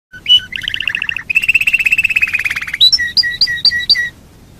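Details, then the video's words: Domestic canary singing as a lure to make other canaries sing: rapid buzzy trills, a long rolling warble, then a run of clear high notes alternating with lower chips, all bright and loud. "Pancingan burung kenari super ampuh"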